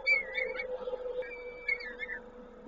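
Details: At a peregrine falcon nest in Koszalin during feeding, 19 May 2022: soft drawn-out whistles with gentle wavers, one long level note midway, low background hum.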